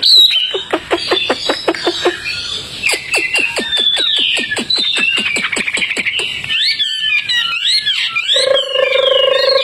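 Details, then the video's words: Fully tame Hwamei singing vigorously outdoors: a fast series of sharp downslurred notes repeated many times, then a second run of quick downstrokes, ending in warbled rising-falling phrases and a steady low whistle. "Wambi Hwamei Gacor jinak total outdoor"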